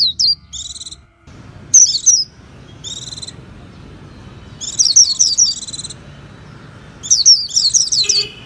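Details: Japanese white-eye singing: high, thin phrases of rapid twittering notes with buzzy, harmonic-rich trills, delivered in short bursts separated by brief pauses. Faint low background hum.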